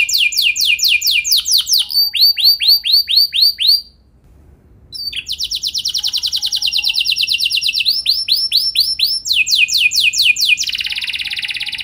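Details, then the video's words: Canary sings long, rapid rolling trills and buzzy, high chattering phrases, switching between fast repeated notes and harsher tours with a brief pause midway; a lure song meant to set other canaries singing. "Gacor Dor Kenari Mana Saja Dengan Pancingan Kenari Lagu Mewah Ini"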